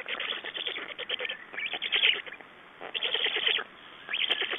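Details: Black storks at a nest in Estonia on 6 June 2011, during nest exchange and feeding; hoarse, pulsed rasping bursts of about one second, separated by short quiet gaps, with a muffled, band-limited tone.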